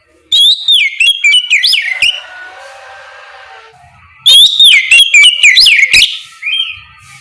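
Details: Loud ngeplong song of an Oriental magpie-robin in the morning, meant to get other magpie-robins to respond: two strong bursts of rapid, looping whistles about two seconds apart, with a short soft phrase closing.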